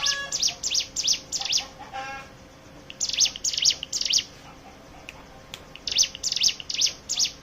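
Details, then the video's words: Hill prinia song used as a lure to make other birds sing; bursts of high, sharp chirped notes repeated rapidly in three runs separated by short pauses. "pancingan ciblek gunung bahan ombyokan"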